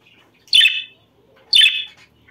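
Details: Two short, harsh budgerigar chirps about a second apart, each a buzzy burst, from a recording meant to stimulate breeding.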